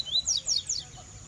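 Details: Rusty-collared seedeater in a cage, a short burst of three or four bright, high downslurred whistles given in quick succession over a faint constant hiss.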